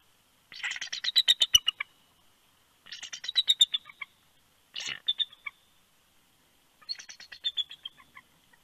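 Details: Bald eagle pair at their nest in Big Bear, California, during the last night-time shift change of 28 January 2020; the male calls for his mate to come to the nest. Four bursts of rapid, high chittering notes, each about a second long, separated by pauses.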